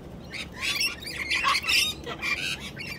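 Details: A Sulphur-crested Cockatoo gives harsh, raspy screeches in a rough burst lasting a couple of seconds, loud and grating with no clear tune.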